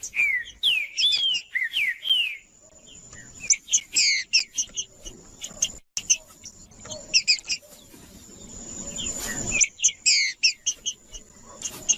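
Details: Green-winged saltator (trinca-ferro) singing to warm up and stimulate cold, silent birds of its kind: loud, rich whistled phrases of rising and falling notes in bursts, separated by short pauses and a stretch of faint rustling noise.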